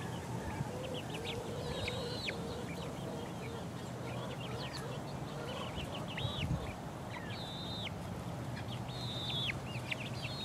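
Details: Four-week-old chicken chicks pecking around: high, arched peeps, some drawn out and slurred downward, scattered across the clip over a steady low hum.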